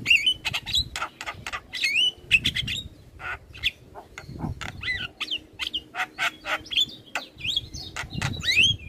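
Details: Asian pied starling master song for tutoring caged birds: continuous energetic chatter of clicks, grating notes and looping whistled phrases with little pause.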